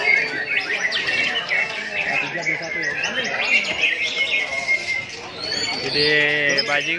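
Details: White-rumped shama, on its first outing after a month-long break, singing a dense run of sharp whistles and chattering phrases, with human talk in the background and a low voice near the end.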